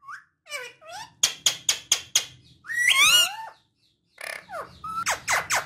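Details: Pet talking parrot: sliding whistles, a run of sharp clicks, a harsh rasping squawk, then more rising whistled notes and clicks, with faint low room noise.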